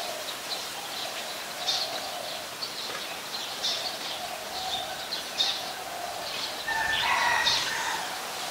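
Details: Recorded 26 March 2022 in Ubon Ratchathani, Thailand, a scaly-breasted munia utters quick high chip notes in loose runs, with a louder, lower rustling, chattering burst near the end and a continuous background hum.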